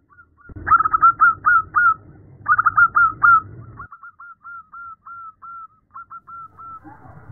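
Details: Female zebra dove calling the male, two loud bursts of quick fluttering coos, then a long trail of softer, evenly spaced clipped coos that continues to the end.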